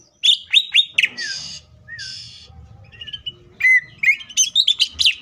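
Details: Green leafbird song used as a lure for other leafbirds: quick sharp whistles, harsh buzzy bursts and downslurred notes mixed together, then a rapid jumble of loud varied chirps and whistles.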